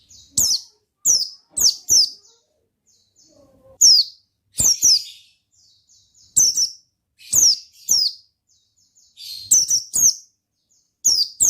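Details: Oriental white-eye singing in the ngalas style: sharp, high chirps sweeping downward, each with a faint click, delivered in uneven bursts of two to four notes with short silences between.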